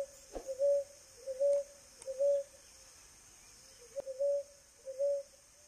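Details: Ruddy ground dove calling free in the wild in Brazil: soft low cooing notes, each a short swelling hoot repeated about once per second in a steady series, over a constant high insect hiss.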